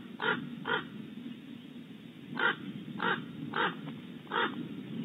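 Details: An ill-tempered Common Raven makes a racket outside a barn owl nest cavity at Starr Ranch, California: six harsh, hoarse croaks, loosely paired, each about a third of a second, over a low steady background hum.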